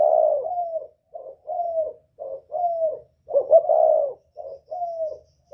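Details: Spotted dove, northern Vietnamese 'kích bổi' style with whistle voice: deep hooting coos in a steady series, brief notes paired with slightly falling, longer ones and one louder drawn-out coo midway.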